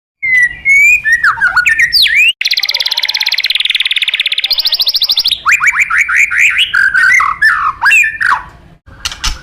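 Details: White-rumped shama singing, used as a master tutor for training contest birds: whistled notes and rapid down-slurred phrases, a long harsh buzzy rattle in the middle, then a series of quick rising sweeps and sharp chips.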